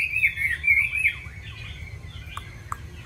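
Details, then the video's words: Chinese hwamei in a cage, opening with a burst of quick, high, fluty whistles, then falling quiet apart from faint notes and a few sharp clicks. "Mi hót hay đẹp cb8864c nhiều giọng rừng hay mau mỏ"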